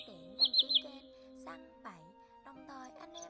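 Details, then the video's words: A common greenshank gives three loud, ringing, high notes in quick succession, tew-tew-tew, over steady music with gliding tones; a flock-calling lure recording used for netting birds. "Tiếng Choắt Bụng Trắng"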